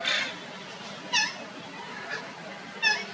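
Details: Parrots fighting over pearl millet: three harsh, brief squawks with stacked harmonics, at the start, near one second and near three seconds, over steady background noise.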